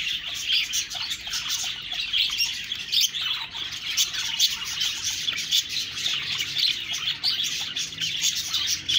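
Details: Budgerigars chirping and chattering together, a dense, unbroken wash of high twittering and scratchy warbles with quick chirps layered throughout.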